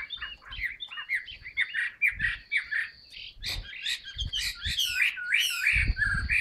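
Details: Caged Chinese hwamei in fresh new plumage, singing with tail fanned: varied rich whistled phrases of slurred notes, each phrase swooping up and down, with soft low thumps and knocks of the cage underneath.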